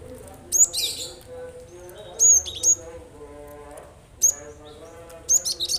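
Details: Cinereous tit (gelatik batu) song, played to prompt other birds that are slow to sing to respond: sharp high whistled notes in pairs and short bursts at irregular intervals over a steady low droning background with faint chatter.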